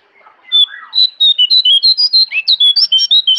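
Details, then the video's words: Wild jongkangan in lively song in the forest at Kintamani, Bali; a low slurred opening note leads into a fast, steady string of sharp whistled notes that step up and down, some slurring downward. "Jongkangan Gacor Dari Hutan Kintamani, Bali"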